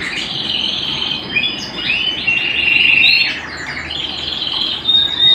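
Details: Canary singing indoors at home: a continuous warbling trill with wavering pitch, rising and falling, over a soft background hiss.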